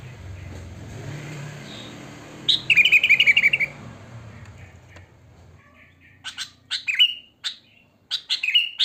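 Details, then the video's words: Sooty-headed bulbul in its natural wild song, used to lure other bulbuls: engine rumble at first, then a fast trill of chirps, a quiet pause, and scattered downslurred chirps. "Suara Kutilang Asli Alam Tanpa Isian Gacor"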